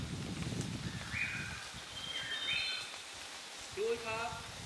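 Scarlet-faced liocichla giving a few short, clear whistled notes about a second apart, then a lower slurred whistle, over rustling and a low rumble.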